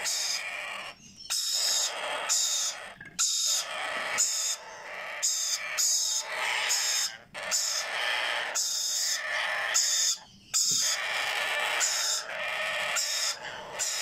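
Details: Hungry Sun conure and Yellow Ringneck parakeet chicks being hand-fed give harsh, raspy feeding calls in rapid bursts.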